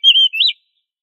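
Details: Oriental magpie-robin, vigorous training song for other magpie-robins: a single quick phrase of a steady whistle sliding into a rising and falling note, lasting about half a second.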